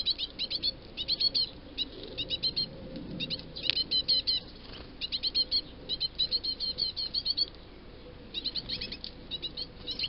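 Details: Great tit nestlings waiting to be fed beg in rapid bursts of high, thin chirps, several volleys a second, broken by brief pauses; otherwise quiet; 2 June 2022.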